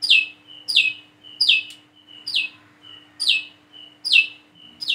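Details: Plain-throated sunbird (kolibri manggar) practising calls: regularly spaced loud high notes falling in pitch, each joined to the next by a faint sustained whistle, roughly one every 0.7 seconds.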